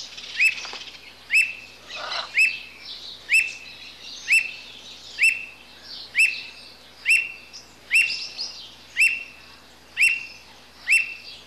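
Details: Steady run of about a dozen clipped, rising whistled notes from a squirrel cuckoo, spaced roughly a second apart, over a soft wash of high bird chatter.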